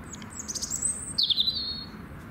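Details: Robin singing its heart out: a thin, high whistled phrase gliding downward, a short pause, then a second sweet phrase sliding lower and trailing off, over faint low background rumble.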